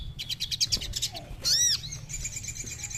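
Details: High, quick chirping from a captive crimson sunbird: a rapid string of sharp notes, a loud arching whistled sweep, then a steady thin trill, over a low rumbling background.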